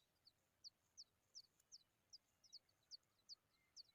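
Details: Familiar chat babies calling out in hunger, a series of short, sharp, high-pitched chirps spaced roughly every third of a second, soft and clean with little else heard.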